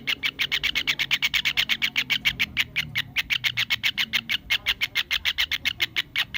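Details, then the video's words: A kingfisher (tengkek udang/cekakak) gives a fast, steady rattle of harsh, shrill notes, about six each second, with no pause, over a faint low murmur. "Suara burung TENGKEK UDANG/cekakak"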